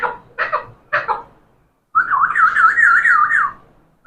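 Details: Talking parrot speaking three short voice-like syllables, then a long warbling whistle that wobbles up and down rapidly for about a second and a half.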